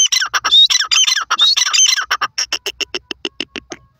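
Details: Teetar (francolin) calling: a rapid series of loud, harsh, clipped notes, at first dense and overlapping, then spacing out into single sharp chips that slow and fade toward the end.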